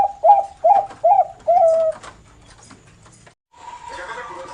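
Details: Zebra dove of Bangkok stock, example of the noklak song style: four loud, evenly spaced hooked coos in two seconds, then quiet and a burst of indoor noise.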